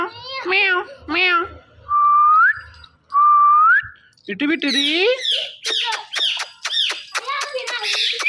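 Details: Ringneck parrot kept as a pet, talking into a phone: two wavering meow-like notes, two clean whistles that sweep upward at the end, then a rapid burst of chattering, crackly talk-like sounds.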